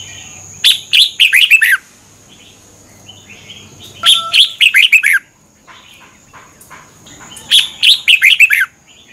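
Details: Red-whiskered bulbul song used to train cage birds or make them excited: three nearly identical phrases of five to six falling whistled notes, about three seconds apart, over a faint low hum.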